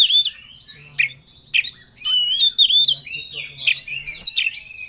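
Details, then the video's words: Oriental magpie-robin seeking a rival, singing ngobra with full emotion. Separate sharp chips give way to a fast run of looping, rising and falling whistles over a faint hum. "Kacer Ngobra Cari Lawan || Full Emosi Materi Joss"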